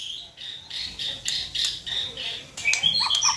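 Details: White-rumped shama, a popular kept bird, singing as a lure to stir another shama into song: a run of harsh, buzzy high bursts repeated about three times a second, ending in a few sharp whistled notes over a faint background hiss.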